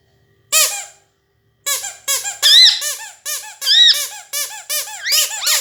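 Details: Pet parrot indoors giving loud, harsh, repeated squeaky notes in quick bursts, each with many stacked overtones and a few whistled upward slides.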